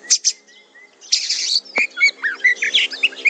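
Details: Kacer (Oriental magpie-robin) in fighter-style training: two sharp chirps and a thin whistle, then a loud buzzy burst followed by quick looping whistled notes and clipped chips.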